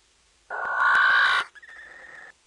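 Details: Male barn owl in a nestbox in the Netherlands, 0:15 on 13 March 2010, stomping its feet and screeching before mating: one loud rasping screech about a second long, then a thinner, steadier drawn-out note.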